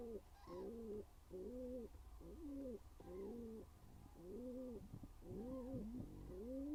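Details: Courting pigeons inside a nest box give a steady series of deep, rounded coos. Each phrase rises and falls, and the phrases repeat roughly once a second over a faint low hum.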